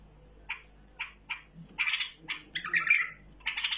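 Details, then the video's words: Tame bulbul starting with three evenly spaced short chirps, then breaking into a louder, rapid, scratchy warble of overlapping notes. A faint low hum is present throughout. "بلبل مطوعه"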